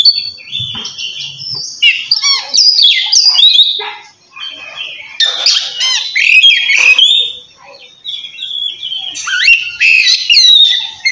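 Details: Oriental magpie-robin singing in the loud open ngeplong style, calling a rival and used to prompt quiet birds to sing; loud, varied whistled phrases mixed with harsh, buzzy and chattering notes, in bursts broken by short pauses near four and eight seconds.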